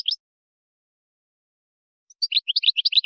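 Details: European goldfinch in Moroccan wiydani style, a tutoring song for chicks and hybrids: a short chirp, a long pause, then about a second of quick, bright, varied twittering notes.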